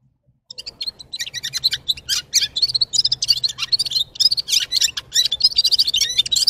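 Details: Red-fronted serin, locally called Gulsir or G'ir-G'ir, singing after half a second of quiet: a fast, unbroken twittering of thin high notes and brief trills, packed densely with slurred chips.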